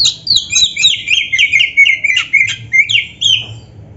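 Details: Oriental magpie-robin singing hotly to excite silent caged birds: a continuous rapid chatter of sharp whistles and rough slurred notes, roughly four per second, falling in pitch across the phrase.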